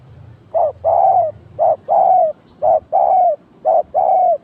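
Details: Decoy spotted dove calling during a trapping session that caught a pair. Four evenly spaced two-part coos, a clipped lead note then a drawn-out mellow coo that dips at the end, repeated about once a second.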